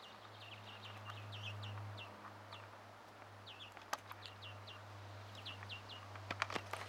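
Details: A European greenfinch chick being fed by a parent, 1 June 2017, begs with rapid, high, thin chirps, about four per second in uneven bursts, over a steady low hum and a few sharp clicks.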